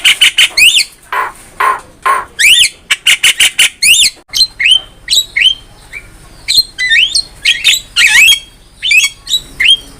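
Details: Javan myna singing actively on a master recording for songbird training: a fast series of harsh squawks gives way to repeated rising whistles and scratchy chatter.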